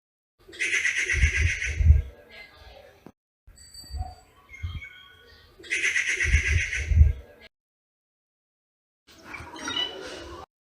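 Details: Rufous treepie in Ranthambhore National Park giving two loud, harsh, grating bursts of about two seconds each, roughly five seconds apart, with deep thumping low noise beneath and a fainter rasping burst near the end.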